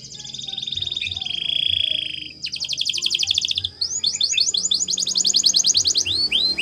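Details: Training song from a canary: a steady whistled tone, a dense rattling trill, then a chain of quick downslurred notes ending in slower looping whistles.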